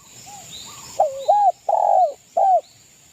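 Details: Zebra dove, a local East Java bird, giving a provoking song to rivals: a soft lead-in then three loud, drawn, arched coos, the middle one longest, with a steady high hiss behind.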